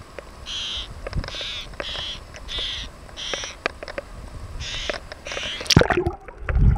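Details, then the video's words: One of a couple of black-naped terns (Sterna sumatrana) at Bathala, Maldives, recorded from the water, gives about seven harsh, rasping high notes in uneven succession over wind and surf, with a loud knock near the end. "Black-naped tern (sterna sumatrana)"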